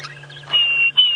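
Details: A Diederik cuckoo (Chrysococcyx caprius) calls in the background during a 5:30 AM sunrise safari drive on 29 October 2016, near a dead leadwood tree: two clear, high, sustained whistled notes in quick succession over a steady low engine hum.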